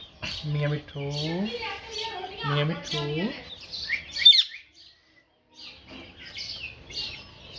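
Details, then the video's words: Parrot talking, giving speech-like phrases with stacked harmonic tones in several short bursts, followed by a sharp high squawk, a brief silence, then softer chattering notes. "Parrot Talking"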